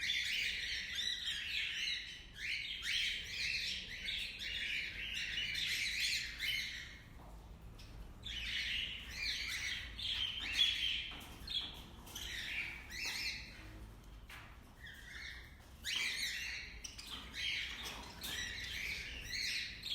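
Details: Several cockatiels singing in the morning chirp and warble continuously, with bright whistled notes and occasional harsher squawks.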